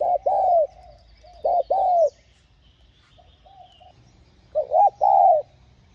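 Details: Spotted dove; coo; luring wild doves to call back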